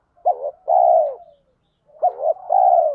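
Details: Lure call of spotted doves, male and female, thổ pha thúc style meant to make wild males answer: two matching phrases, each a sharp short coo followed by a longer, steady, slowly falling croo.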